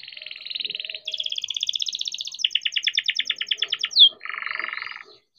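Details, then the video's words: Young canary raised in captivity delivering a rolling lure song for young or silent canaries. Steady buzzy trill, a higher fast-pulsed roll, slower rhythmic chips, a sharp falling note, then a low buzzy trill. "KENARI GACOR DOR COCOK BUAT PANCINGAN KENARI BIAR GACOR || KENARI GACOR PANJANG"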